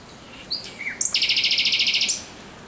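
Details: Thrush nightingale night song, 17 May 2023: a few whistled notes, then a fast, even rattle of about fifteen sharp repeated notes in one second.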